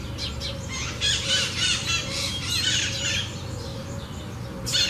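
A Double-collared Seedeater sings a fast, bright twittering song of rapid high notes in bursts, over a low steady hum.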